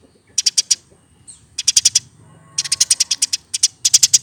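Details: Hand-reared Eurasian tree sparrow, aged over one year, giving clusters of three to eight quick high chirps separated by brief gaps, over a faint low background hum.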